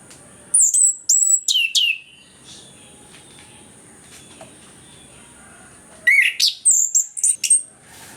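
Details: Orange-headed thrush song used as a lure to prompt quiet birds to sing: bursts of loud, high whistled and sweeping notes around half a second to two seconds, then a pause, then another rapid run of varied whistles, over a steady high hiss.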